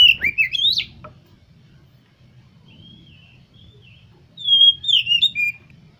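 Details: Oriental magpie-robin song played to stir other kept birds into singing: a quick burst of rich whistled notes rising and falling, a quieter thin whistle, then another bright warbled phrase near the end.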